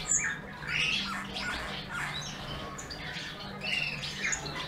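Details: Eurasian bullfinch singing: a run of soft, varied warbled and squeaky notes, some rising and some falling, sung in loose phrases with short pauses. A low steady hum sits underneath.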